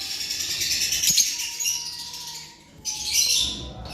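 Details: Lovebirds in a breeding aviary in Pakistan: dense, shrill, high chattering screeches in two bursts with a short lull between, plus a faint steady hum.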